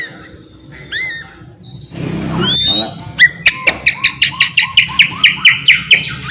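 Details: Vigorous white-rumped shama singing, played to stir silent shamas into song: a few upward whistles, a rough noisy burst, then a long regular series of crisp paired notes about four per second.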